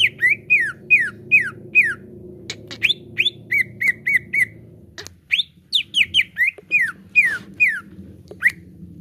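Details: Greater green leafbird song, known locally as cucak ijo, used to trigger caged birds into full song: long runs of descending whistled slurs broken by short level whistles, quick and steady, with faint background hum.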